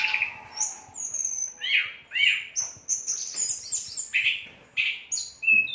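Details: Whistler in vigorous song, giving swooping whistled notes that rise and fall, sharp high chips and short rapid trills, packed into a continuous run of phrases about every half second.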